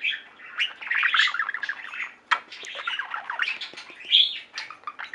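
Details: Singing pet budgies: a steady, crowded warble of chirps, clicks and squeaks from several birds, with a few louder sharp calls.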